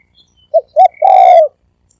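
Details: Spotted dove giving fast 'thổ ồm vang' style cooing: two short soft lead notes, then a longer rich coo that slides gently downward, with a faint higher note at the end.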